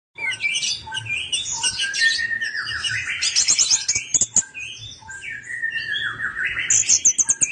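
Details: Orange-headed thrush song used as a lure to get silent birds singing: a dense, continuous run of varied high chirps, trills and quick whistled slurs with rapid buzzy bursts near the top of its range.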